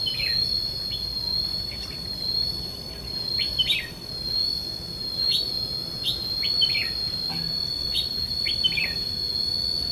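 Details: Decoy red-whiskered bulbul in a fighting trap, luring rival wild birds, 5 July 2016; quick bubbly whistled bursts repeated every second or two against a constant shrill insect drone.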